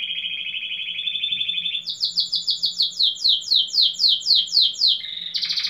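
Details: Competition domestic canary in Pelotas, RS, 15th edition, delivering a buzzy steady trill that jumps to a fast series of loud downslurred chips, about four a second, ending on a short high rattle; low hum beneath.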